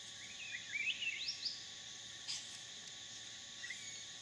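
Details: A Hair-crested drongo at a small waterhole in a dry stream bed in the dry season, Phnom Prich Wildlife Sanctuary, Mondulkiri, Cambodia, gives a quick run of bright metallic upward-twanging notes, then a lone call, over shrill insects.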